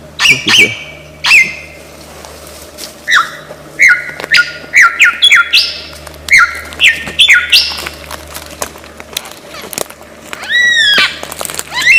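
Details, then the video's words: Lyrebird, one of the world's most prolific mimics, found in Australian forest, delivering a varied, continuous sequence of sharp whistles, downslurs and chirps, with a low steady hum beneath. "Lyre Bird Burung 1001 Suara"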